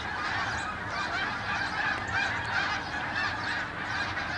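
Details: Many Canada geese flying over Farnham early in the morning on 18 December 2015, a dense overlapping chorus of nasal honks, continuous and steady throughout with no pauses.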